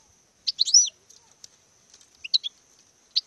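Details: A European goldfinch in courtship display sings brief bursts of high twittering notes, with short gaps of near silence between phrases.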